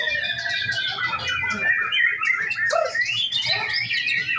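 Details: A male white-rumped shama kept on a breeding farm sings energetic, varied phrases of whistles and chattering twitters, with a few louder downslurred notes in the middle.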